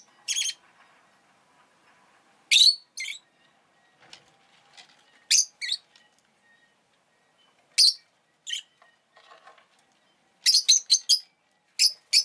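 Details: Shrill, high-pitched chirps from a rosy-faced lovebird, given singly, in pairs and in a rapid burst of four near the end, separated by quiet gaps with faint rustling.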